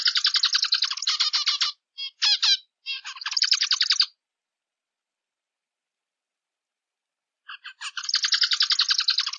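A zebra finch sings buzzy, nasal phrases of rapid stacked notes with short chirps between them, pauses about three seconds, then starts again.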